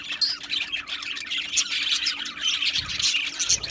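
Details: Colony of Australian budgies in an aviary, a lively high-pitched chorus of chirps, tweets and grating squeaks, continuous and thickly overlapped.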